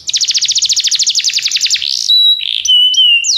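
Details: Singing Belgian canary meant to get other canaries singing: a fast rattling trill of rapid repeated strokes for two seconds, then a brief pause and pure whistled notes sliding gently downward.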